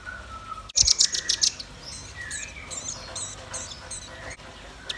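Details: Red-billed nuthatch and white-rumped shama: a quick burst of bright, very high trilled notes, followed by softer scattered chirps and a low whistle, with a sharp knock at the start.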